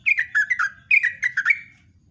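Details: Two quick, loud bursts of bubbling, downslurred whistles from a yellow-vented bulbul, its morning song used to lure other birds, with each burst about four notes long over a low hum.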